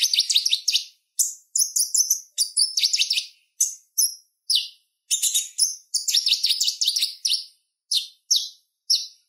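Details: Busy, hurried chatter of a purple-throated sunbird, used as a tutor for songbirds: bursts of rapid high scratchy twittering broken by brief pauses, then scattered single sharp chirps.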